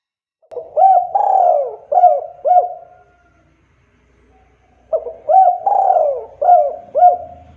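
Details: Spotted dove call, used to lure other doves. Two loud cooing phrases are separated by a pause. Each phrase has short hooked notes and a long falling note, and the rhythm is repeated closely.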